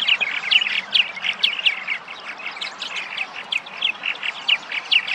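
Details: Spring arrival of migratory purple martins in Massachusetts, returning to traditional nesting sites: a steady stream of bright, overlapping chirps and squeaky gurgles, many birds calling at once with an uneven rhythm.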